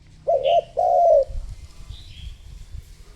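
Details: Spotted dove serving as a lure for other doves utters two low coos, the second longer and trailing down, followed by soft rustling.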